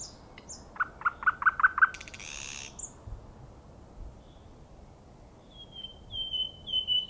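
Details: Common nightingale singing: a burst of five evenly repeated mid-pitched notes, then a short buzzy rattle, a pause, and thin high whistled notes near the end over quiet background hiss.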